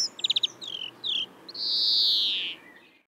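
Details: European greenfinch in Córdoba running a quick series of clipped trill notes and short twittered slurs into one long, strained, nasal wheeze that fades downward at the end.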